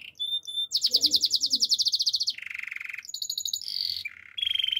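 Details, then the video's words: Canary singing a varied run of phrases: a pair of high steady whistles, a rapid pulsing trill, a lower buzzing roll, a higher rattle, then short shifting phrases ending in a clear repeated high trill. "Your canary will sing everyday fullspeed"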